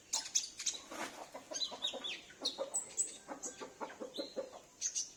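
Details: Sunbird held at home and used as a lure for wild sunbirds; a quick, crowded series of high chips and ticking notes with a few brief whistled phrases.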